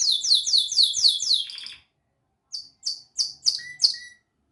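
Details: Pleasant canary singing: a quick run of repeated downward-sweeping chirps, a short silence, then five spaced bright notes, the last with a steady lower whistle.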